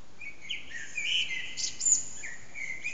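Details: Early-morning common blackbird song from an unseen bird near 4:40am, echoing off a backyard and captured by phone; a short whistled phrase sliding into bright, scratchy high notes with a constant hiss beneath.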